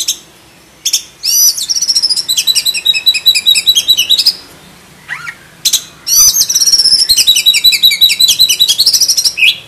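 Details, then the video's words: Black-breasted oriental magpie-robin in full, rich song: long, fast trills of repeated high whistled notes, broken by one short pause and a single rising note before the rapid trill resumes. "KACER DADA HITAM ISIAN FULL ISTIMEWA - COCOK BUAT MASTERAN KACER KALIAN"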